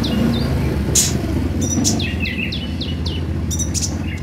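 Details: Purple-throated sunbird played to prompt caged birds to sing: busy high twittering of quick down-slurred chirps and sharp ticks, backed by a constant low rumble.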